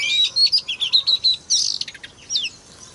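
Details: White-rumped shama singing to provoke rival shamas: quick series of whistled notes, a burst of buzzy rapid chattering, then softer slurred whistles fading out.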